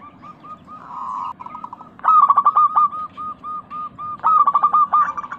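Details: Lively local zebra dove in a crystal-voiced lure recording for caged doves: a soft rolling purr, then two bursts of loud rapid staccato coos that trail into evenly spaced softer notes.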